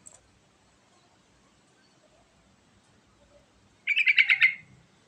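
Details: Sooty-headed bulbul, a lively singer used as a lure to prompt other birds to sing: one short bubbly phrase of four or five quick rich notes near the end, after near silence.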